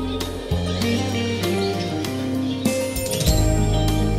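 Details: Plucked guitar-like music with steady bass notes plays throughout, with no animal voice heard.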